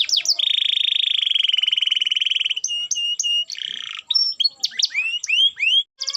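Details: Canary singing hard as a stimulus for quiet canaries: a long, loud, buzzy rolling trill, a short burst of harsh rattle, then scattered sharp rising and falling chirps.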